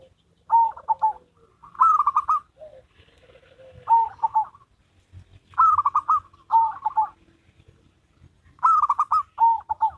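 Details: Duet of a local zebra dove and a crossbred one, trading phrases of quick stuttering coos, each opening with a clear note and breaking into a rolling trill, with faint lower coos between phrases.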